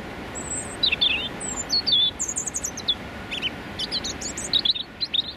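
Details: Territorial song of a male European robin filmed at very close range in London during the freezing January morning rush hour; high sweet whistled notes and quick tinkling trills in varied phrases, steady traffic rumble underneath.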